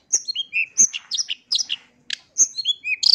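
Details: Lure song of a long-tailed shrike (pentet), used to make other shrikes answer: high whistles sliding down in pitch, mixed with short scratchy chips and brief pauses.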